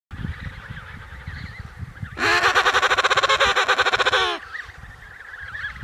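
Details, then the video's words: Emperor penguin (Aptenodytes forsteri) gives a loud, rich, rapidly pulsing trumpet lasting about two seconds, with fainter calls of other penguins before and after. "Emperor Penguin: Vocalizations"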